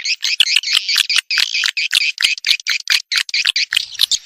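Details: Edible-nest swiftlet mating lure call for attracting birds to a nest house: a fast run of short, buzzy, separate chirps with brief gaps between them, about one and a half per second, steady throughout.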